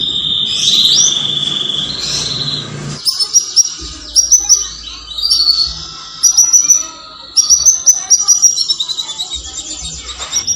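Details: Canary mating song offered to breeders to stimulate breeding: a soft rough warble, then bursts of high, thin, stuttering chirps and short trills separated by brief pauses.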